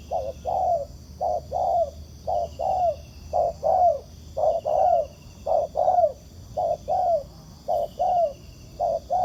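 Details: Wild spotted dove replying to a ground decoy while being trapped. Each phrase is a short hoot then a longer downward coo, repeated steadily, with a continuous shrill hum in the background.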